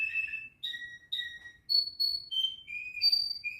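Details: Domestic canary singing indoors: a short sequence of pure whistled notes, each held briefly, jumping up and then stepping down in pitch across nearly four seconds.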